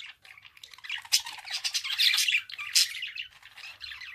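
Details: Continuous budgerigar chatter: a dense stream of rasping, twittering notes with sharp high squeaks, rising to its loudest around the middle, over a faint low background rumble.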